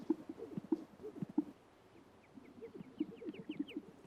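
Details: Male greater sage-grouse in spring at a traditional lek, displaying to impress females and intimidate rivals: low, bubbling pops and gulping coos repeated in bursts, with a run of faint, high, thin chirps over them.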